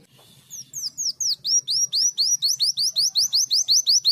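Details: Leafbird delivering canary-style song: after a soft buzzy opening, steady high whistled notes that sweep upward then drop, repeated roughly four per second in an even, energetic series.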